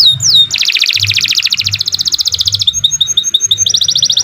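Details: Canary song for song-training: long fast trills of repeated high chirps, changing speed, with a clear whistled glide at the start and a faint low hum beneath.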